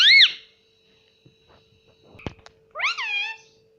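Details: Pet ringneck parakeet indoors, talking: one short, bright, arched syllable, then silence broken by a knock. A second longer, wavering, nasal phrase follows over a faint steady hum.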